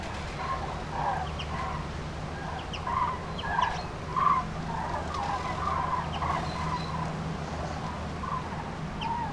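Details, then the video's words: Storm-scattered groups of common cranes on spring passage, central France, March 2016; repeated trumpeting calls from many birds, a few louder notes near the middle, over a low steady hum and hiss. "GRUE Cendrée/Migration Prénuptiale/2016 ! BRUITX"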